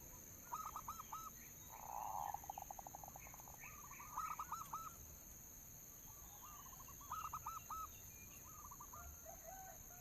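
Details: Local zebra dove lure song: repeated groups of short cooing notes, a purred trill breaking into quick staccato notes, and more coo phrases at lower volume. Faint hum and distant chirps.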